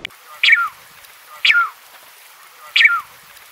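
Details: Falkland steamer duck calling: three loud, harsh, downward-sliding notes about a second apart, each short and rasping, in otherwise quiet surroundings.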